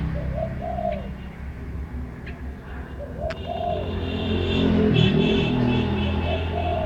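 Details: Bird singing with low rolling coos, a short note then a drawn-out one, heard twice early on. Later a louder mix of broadband noise and low humming covers the calls.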